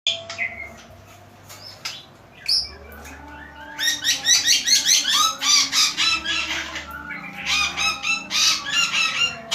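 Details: Bird singing energetically: a few scattered whistled notes at first, then from about four seconds rapid runs of rich, buzzy, harmonic notes repeated nearly twice a second, over a low steady hum.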